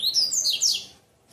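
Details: Double-collared seedeater in Bitola/tui-tui song style gives a quick burst of high, sweeping, twittering notes that rise and fall for under a second before falling quiet.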